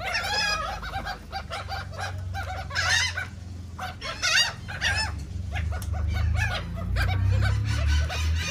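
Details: Crowd of seagulls eating cake in Atlantic City, New Jersey: dense, overlapping squawks and yelps from many birds, with a steady low rumble throughout.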